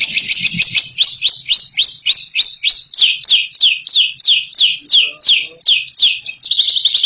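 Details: Bird singing in the ngekek style, called a champion, a rapid string of sharp downward-sweeping chirps, about three per second, rising slightly in pitch midway before ending in a dense chatter.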